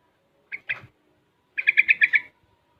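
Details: Six-month-old young Sooty-headed bulbul, very active and learning the ropel and garuda song styles; two short chirps, then a quick burst of six clear, bright, evenly spaced notes in a bubbling run.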